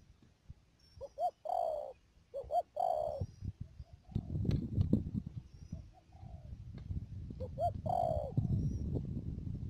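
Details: Decoy spotted dove at a trapping spot in Đầm Dơi, Cà Mau, Vietnam, March 2019; a few soft two-part coo phrases early and late, largely masked in the middle by loud rustling and thumping.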